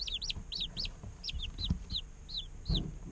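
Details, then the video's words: Day-old chicken chicks in an incubator chirping: a quick run of high, arched peeps at the start, then single descending chirps spaced about half a second apart, with soft thumps and a low hum. "Chicks Chirping Sounds - Baby Chicken Sounds"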